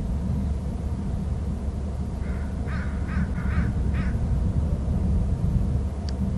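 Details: Pair of eagles at their nest territory on Hornby Island, both calling while one soars off; a quick run of five high, squealing chips over about two seconds, set against a steady low wind rumble.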